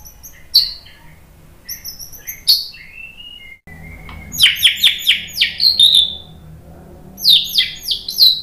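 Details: White-rumped shama song used for training other shamas: scattered high whistles and thin notes, then a run of loud, sharply descending whistled phrases, with a quiet low hum behind.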